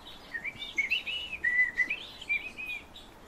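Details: European bee-eaters calling in a steady stream of short, rolling, liquid trilled notes, several overlapping in a soft chorus, with faint background noise.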